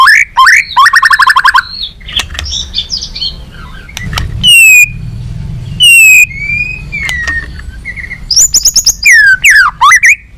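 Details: White-rumped shama singing balak 6, a lure song for trapping birds: a fast trilled burst opens, followed by scattered loud slurred whistles, downward sweeps and brief chattering notes between gaps, over a soft low rumble.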